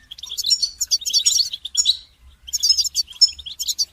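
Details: Goldfinch song for training songbirds, with dense, fast, jingling twitters in two long bursts separated by a brief silence.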